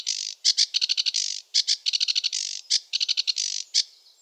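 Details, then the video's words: Rushed chattering song of a sedge warbler, a wetland bird: rapid clicks in bursts mixed with rasping buzzy notes, ending in a fading trill. "Sedge warbler song (Acrocephalus schoenobaenus) the warbler rapper"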